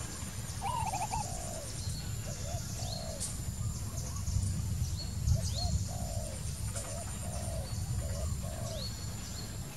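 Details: A wild spotted dove gives soft hollow coos, opening with a quavering higher phrase and followed by a steady series of falling low coos about once a second, over high twittering birds and constant low rumble.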